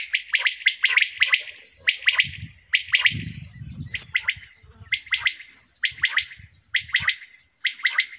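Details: Common quail singing in a summer meadow: short bursts of three or four sharp, liquid notes, repeated roughly every second. A faint low rustle sounds in the middle.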